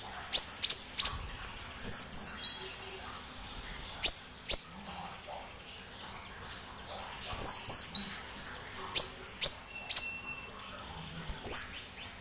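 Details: Loud-voiced sunbird (kolibri) used as a training recording to set off singing in other cage birds, including the magpie-robin. Shrill, piercing chirps come singly and in rapid clusters of downward-sweeping notes, separated by short pauses.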